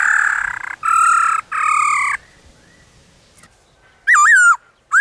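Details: Black-throated laughingthrush in the wild forest. Three harsh, raspy, drawn-out notes are followed by a pause, then clear wavering whistled phrases near the end.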